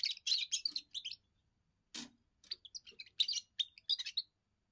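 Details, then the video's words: Young European goldfinch giving its first song, used to defend territory and attract females: rapid tinkling, twittering phrases of high chirps and short trills in bursts, with a broad click or knock near the middle. "first song of a young goldfinch amazing wonderful singing"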